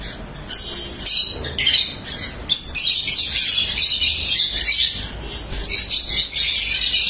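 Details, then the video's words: Colourful lovebirds at a breeding farm, many calling at once: a dense, continuous wall of shrill, high chirps and squeaks, loud throughout with no pauses. "Love Bird Sounds"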